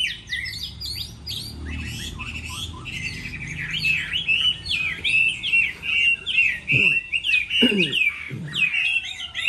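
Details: Chinese hwamei singing in a contest during the moulting season: a rich stream of varied, rapid whistled phrases, high and slurred, with brief louder bursts near the end and a low background rumble.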